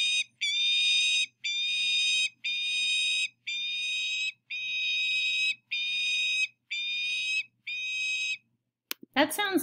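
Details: Peregrine falcon at the coast giving a harsh, scraping series of calls, about one per second, eight in a row, high and grating; a voice cuts in at the end.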